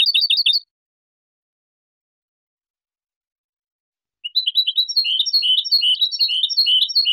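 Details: European goldfinch song for training young birds: a brief burst of chirps, a long silence, then lively varied twittering and chirping continuing to the end.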